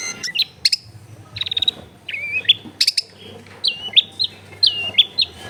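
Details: Long-tailed shrike from a home recording in a densely populated area, meant to stir a reluctant singer: clear high whistles and sliding notes, then a repeated pattern of a falling slur ending in a bright piping note.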